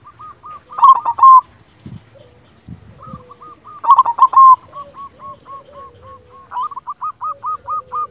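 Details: Local silver zebra dove sings two loud stammering phrases, each followed by long, evenly spaced strings of short hooked coos about ten per second, with a second lower dove cooing softly.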